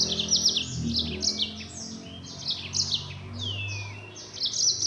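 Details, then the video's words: Mozambique canary (yellow-fronted canary) pouring out 'nembak' full-speed gacor song: continuous high, bright chirps and trills with one downward-sweeping whistle, over a faint low hum. "Burung Mozambik Gacor Suara Nembak Full Speed"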